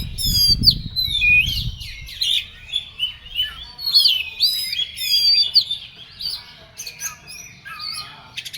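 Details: Excited, agitated singing from an Oriental magpie-robin, with bright whistled slides, buzzy rattles and clipped chirps strung into pulsing phrases that rise and fade every second or so, and low rumble at the start.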